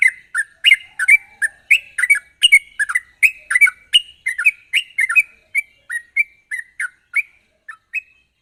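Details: Sooty-headed bulbul in sharp, rapid chattering song, used as a lure to get untrained birds singing quickly: a fast run of short, bright slurred notes, about two or three a second, with clicky high overtones.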